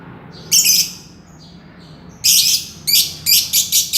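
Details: Green lovebird giving its ngekek, heard here as brief bursts of high, harsh chirping: one burst early, then a pause, then a cluster of rapid squeaky notes toward the end.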